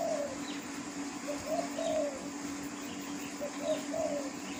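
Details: In the wild, a spotted dove repeats its gentle low coo: the tail of one phrase, then two full phrases of short notes leading into a drawn-out falling note, over background hum.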